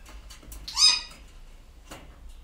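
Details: Grey parrot, one of a breeding pair of hand-rearing African greys, gives one harsh, raspy call that rises and then falls, lasting under half a second, with faint rustling before and after.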